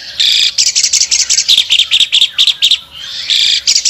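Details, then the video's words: An albino Asian pied starling, spreading its wings, sings a loud, harsh, rapid chatter of buzzy, grating notes in quick bursts, with a few longer raspy phrases. "jalak suren albino gacor"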